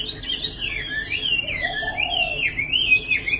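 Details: Tame caged Chinese hwamei, nearly two seasons old, moulting in Hanoi, Vietnam, pours out loud, continuous sweeping whistles that rise and fall in smooth looping arcs.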